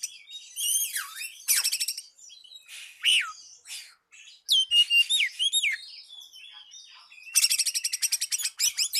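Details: Rival-calling lure song of an Oriental magpie-robin: varied whistles dipping and climbing, short pauses, clear slurred notes in the middle, and a fast, rattling series of high notes near the end.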